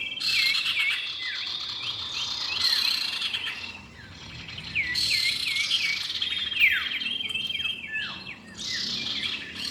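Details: Male and female common iora giving clear whistled calls: repeated short curved and looping notes, busy and irregular, with overlapping bright high chirps and a faint insect-like hiss beneath.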